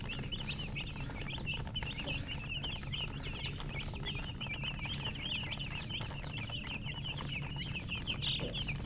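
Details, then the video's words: Baby chicks chirping: a steady flurry of short, high peeping notes from many chicks at once, overlapping continuously with no pauses, over a low constant hum in the background. "Witty MURGI Baby "Chicks Chirping" Sound"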